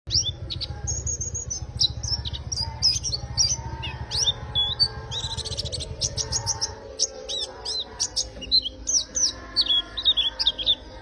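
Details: Warbling white-eye in rapid, melodious song: bursts of high twittering notes and sharp whistled slurs, densely packed, over a steady low hum for the first seven seconds that then fades.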